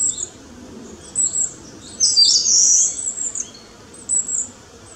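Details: Long-tailed tit fledgling newly out of the nest, feeding restlessly between trees: very high, thin trilling and buzzy notes, a longer burst in the middle, over a constant low hum.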